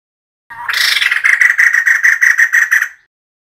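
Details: Female White-crested laughingthrush calling, recorded for use as a decoy call: a harsh, rapid chattering run of about two and a half seconds, with pulses packed evenly and steady in pitch before breaking off.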